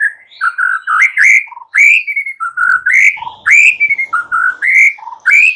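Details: White-rumped shama, caged, singing in the morning to coax silent birds: continuous rich whistled phrases, rising and falling slurs with a low note repeated between them.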